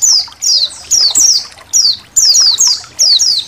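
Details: A flock of Indonesian white-eyes in a training recording for songbirds. High, thin chirps slide steeply downward. They come in quick bursts about every half second, and many birds overlap.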